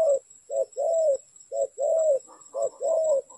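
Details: Spotted dove used in trapping, a quick sequence of low coos, a short note then a longer gliding hoot, with faint higher chirps from another bird behind.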